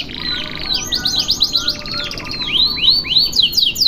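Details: Canary long one-breath tutor song: buzzy rattling trill, then looping arched notes repeated about four times a second, then sharp rising sweeps at the end.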